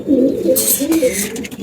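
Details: Pigeons in a small indoor loft during hot weather, soft low cooing notes rising and falling, with brief hissy noise bursts between coos.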